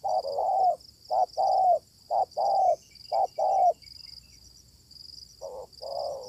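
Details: A wild spotted dove answers a decoy during luring. Loud, close coos come in quick short-long pairs, then pause before resuming. Faint chirps and a steady high insect hum are also heard.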